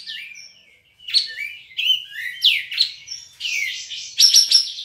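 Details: Contest kapas tembak (Olive-winged bulbul), a caged bird from Singkawang, West Kalimantan. The song is a rambling mix of slurred rising and falling whistles that turns into harsher, buzzy chatter near the end.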